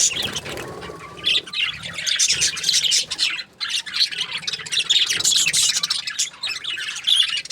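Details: Constant high, bright warbling chatter of happy budgies, fast twittering notes and squeaks running together after a short rising whistle at the start.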